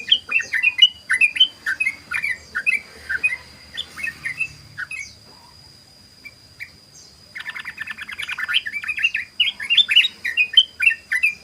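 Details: Sooty-headed bulbul delivering 'ropel' song as a lure: lively slurred, rising and falling notes in quick succession, a short lull, then a dense rapid chatter blending into more warbled phrases, thin steady whine in background.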